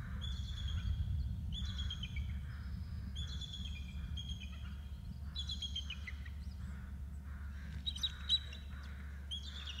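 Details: Adult bald eagles calling to each other at 17:47: high, thin chittering phrases, each a quick run of piping notes falling in pitch, repeated every one to two seconds over a steady low hum.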